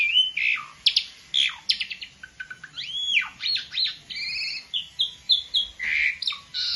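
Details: Asian pied starling, a novice singer, mixing rapid clicks, arched whistled notes and short repeated phrases in a varied, lively stream.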